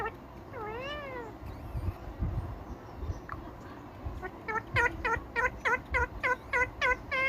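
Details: Indian ringneck parakeet vocalizing: a few rising-falling whistled notes, then a rapid series of short repeated chirping calls, about three per second, over noisy indoor background rumble.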